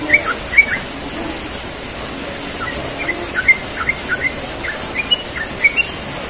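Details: Yellow-vented bulbul in the morning giving scattered short, sharp chirped notes, single or paired, spaced irregularly about a second apart, against a steady low hiss.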